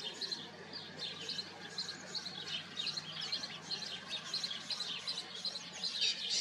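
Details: Colony of house sparrows giving a busy, continuous chatter of short, bright chirps from many birds at once, the rapid notes piling over one another.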